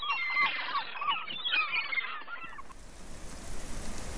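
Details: A group of 21 cattle egrets (Bubulcus ibis) in the Noia inlet in Galicia gives overlapping harsh, raspy flock croaks for about two seconds, then a steady hiss of wind or water takes over.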